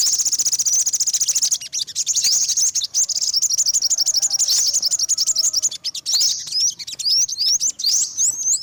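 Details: Olive-backed sunbird, yellow-bellied: a long sequence of fast high chips and rising whistles, dense at first, then spaced into separate upward-slurred notes.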